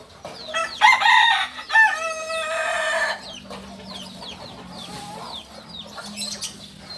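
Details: Kukuak balenggek rooster from Solok, West Sumatra, giving a short broken crow of a few harmonic notes stepping up and down, followed by quieter chirping and a faint low hum.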